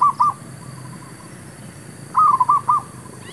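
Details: Zebra dove heard during trapping of wild doves: two clipped coos opening the clip, then after a pause a rolling phrase of five rapid notes at a steady pitch, with faint high ticking behind.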